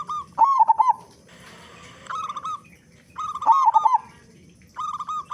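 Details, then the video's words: Zebra dove, local type with a powerful voice, cooing as a lure to spur other doves to sing: two stuttered coo phrases each followed by a smoother rolling trill, with a hissy rustle between. "Perkutut Lokal Gacor Suara Besar Pancingan Burung Perkutut Agar Cepat Bunyi"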